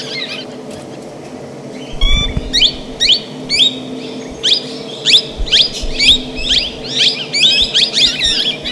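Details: Plum-headed parakeet calling: a rapid series of shrill, high squeaky notes, roughly two per second, growing busier in the second half, over a steady low hum.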